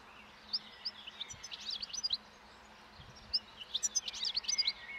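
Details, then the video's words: Wild European goldfinches feeding on last year's thistle seeds along a roadside as spring approaches, starting breeding song; two bursts of high twittering, tinkling notes with a quiet pause between, faint low rumble beneath. "European Goldfinch Song and Feeding in Wild / Doğada Saka Kuşu Beslenmesi ve Ötüşü"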